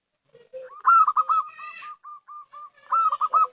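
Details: Local zebra dove giving a lure call: a run of short, evenly spaced soft coos broken by two louder, rolling trilled phrases, in otherwise quiet surroundings.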